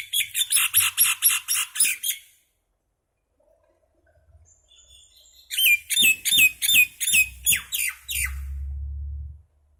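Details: Common myna making noise: a rapid series of about seven grating chirps, a pause with faint background sounds, then a second run of about nine similar harsh notes, ending with a low humming rumble.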